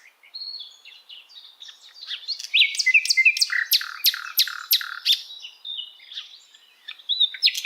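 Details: Asian brown flycatcher tutor song for cage birds: thin whistles lead into a loud stretch of rapid, harsh, evenly spaced notes, then softer varied twittering.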